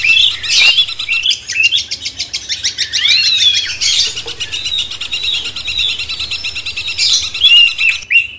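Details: A cucak cungkok bulbul sings a long master song to stir a magpie-robin, a continuous run of rapid, buzzy trills broken by brief whistled phrases and sharp chips.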